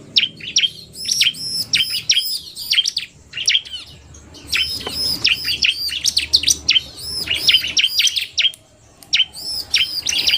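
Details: Male bar-winged prinia in narung style with a fast-singing female, bursts of shrill chirps and looping whistles, a quiet pause near the ninth second before the song resumes.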